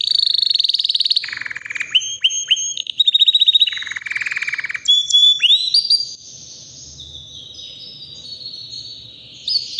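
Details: Three-year-old white canary singing strongly: a long rapid trill, descending rolls and sharp upswept whistles, then a softer drawn-out high whistled passage near the end.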